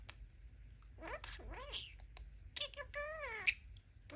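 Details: Pet male budgerigar, a talking parakeet, saying his new phrases "Let's Rock" and "Let's Play"; a few scratchy chirps, then quick gravelly speech-like syllables sweeping up and down, with one sharp click midway.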